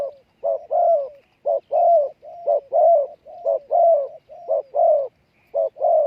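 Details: Decoy spotted doves calling to lure wild birds, dense overlapping coo pairs, short then longer falling notes, in a rapid back-and-forth about once a second.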